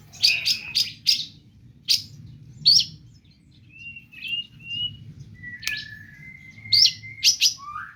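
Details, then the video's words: Cendet (long-tailed shrike) song with imitated phrases, sparser here. A few harsh chattering bursts are followed by long thin level whistles and a falling whistled slur, separated by quiet gaps. "Cendet gacor ll pentet motor GP nembak full isian lasrol"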